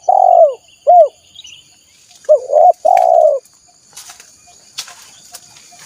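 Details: Spotted dove calling as a lure for wild doves: low husky coos in two groups, a long one and a short one, then a quick double note leading into a long purring coo, followed by scattered clicks and rustles.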